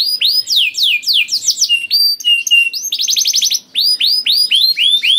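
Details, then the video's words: Canary song played to prompt other canaries to sing: looping downward slurs, a short steady whistle, then a dense rattling trill and more arched high notes after a brief gap. "PANCINGAN KENARI GACOR DOR NGEREK PANJANG INI AMPUH BIKIN KENARI LAIN BUNYI"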